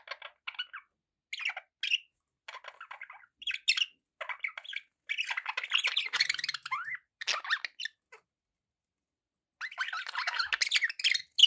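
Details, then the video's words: Pet budgie sounds form a chattering warble: short scratchy phrases build into a long continuous babble of chirps and squawks, then a final busy burst after a pause. "budgie sounds"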